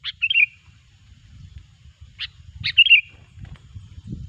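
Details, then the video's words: Chatty sooty-headed bulbul sound played as a trapping lure: two brief phrases, each a sharp note leading into a rapid descending warble, separated by a lone chip, over faint low rustling. "suara burung kutilang gacor pikat terampuh jitu"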